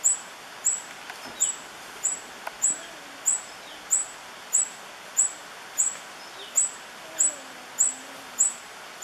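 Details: Tawny-bellied hermit (Phaethornis syrmatophorus) at La Romera reserve, Sabaneta, Antioquia, Colombia, 2013, repeating a thin, very high squeaky note about twice a second, steady and insistent, with faint low whistles from other birds behind.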